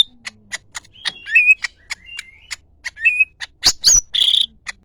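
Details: Greater green leafbird giving a lively run of quick sharp chirps and short whistled slurs, ending in louder ringing and buzzy notes.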